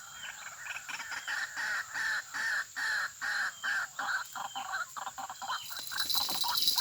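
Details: White-breasted waterhen calling in a snare area in response to a lure recording. Harsh, nasal croaks are repeated about twice a second in an even series. A steady high insect-like hiss runs underneath.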